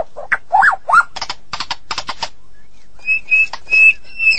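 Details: Medan white-rumped shama in full, prolific song: rising slurred whistles, then a run of dry clicking rattles, a brief pause, and several long steady high whistles.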